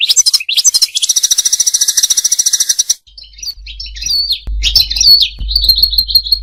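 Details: Song of the European goldfinch, used for mating and for teaching goldfinches to sing: a long rapid buzzy trill, then varied twittering phrases over a low background hum.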